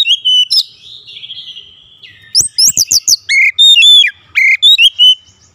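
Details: Daily training song of an oriental magpie-robin for a long rolling 'ngeroll': two short whistles, a soft buzzy trill, then a fast burst of piercing looped notes and ringing whistled slurs in quick succession.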